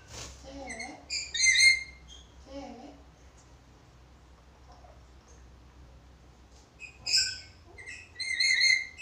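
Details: Black-capped lory used for master training of other birds: loud, harsh, overtone-rich squawks in two clusters separated by several seconds of near quiet, with a faint low hum.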